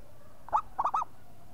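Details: Local zebra dove singing vigorously: a brief phrase of one clear hoot followed by two rapid, rolling, arched coos.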